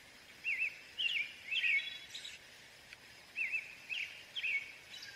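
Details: American robin caroling in two bursts of three warbled, up-and-down whistled phrases separated by a brief pause, with steady outdoor background noise.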